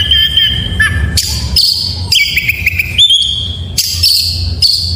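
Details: An oriental magpie-robin sings in the morning: sustained whistles stepping between pitches, a few wavering trills and sharp bursts, phrases following closely, with a constant low hum behind.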